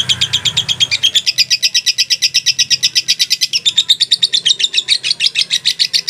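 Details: Long lovebird ngekek without a break: steady, fast chattering trill of high rasping notes, slightly lower at first and rising in intensity, with soft low rumble at the start.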